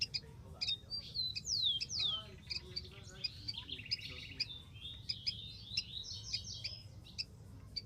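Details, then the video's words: Rufous-collared sparrow in the wild: two bright down-slurred whistles followed by a dry buzzy trill, surrounded by many scattered high chirps, with Portuguese speech and steady low background noise. "BURUNG KICAU"SPARROW RUFOUS"(KICAU MANIA)Full Gacor di alam liar."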